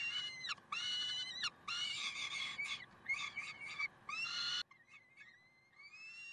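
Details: Peregrine falcons in Karlsruhe on 30 May 2010: a quick chain of grating, rising notes in rapid bursts, then quieter, thinner drawn-out wails at the end.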